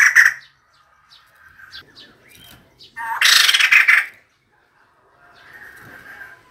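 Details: A female White-crested Laughingthrush gives a harsh, noisy one-second chatter of quick pulses, used as a decoy call, amid quieter scattered chirps and soft background sounds.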